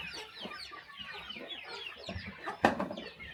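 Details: Morning feeding on a small countryside chicken farm, many chickens calling together in quick, high, falling chirps, with a sharp knock near the end.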